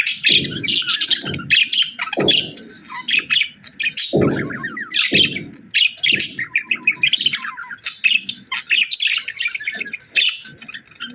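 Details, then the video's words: Budgerigars chirping in a busy group, dense bright chattering and trills repeated throughout, with a few low thumping knocks in between. "Budgies Chirping Sounds"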